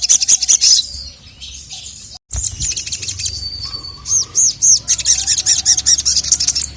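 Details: Sogon (little spiderhunter), with a female calling and the male answering angrily. High chirps rattle quickly, then a brief silence, then repeated arched notes and a short steady whistle.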